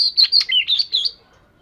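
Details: Oriental magpie-robin of the 'vẩy cá' type in daily singing practice gives one brief phrase of quick, slurred whistles rising and falling, about a second long, then quiet.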